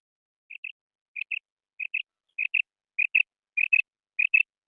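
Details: Female quail calling: paired short high chirps, each a quick double note, repeated about every 0.6 seconds in a steady series against a silent background.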